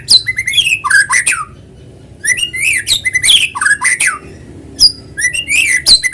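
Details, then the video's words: Lure song of a white-rumped shama, meant to make other shamas sing: loud rich bursts of rapid whistles, slurs and sharp high notes in several phrases separated by brief silences. "PANCINGAN BURUNG MURAI GACOR SUARA ALAMI BIKIN MURAI BATU IKUT BUNYI"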